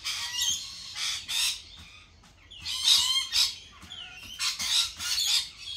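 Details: Lorikeets at a cafe calling with raspy, grating screeches and squeals in overlapping bursts roughly every half second to second, several birds together.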